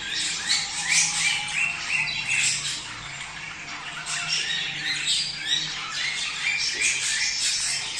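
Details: Mating call of male and female budgerigars, used to stimulate breeding: lively, dense warbling of short squawks and bright chirps repeated rapidly, pulsing in loudness every second or two.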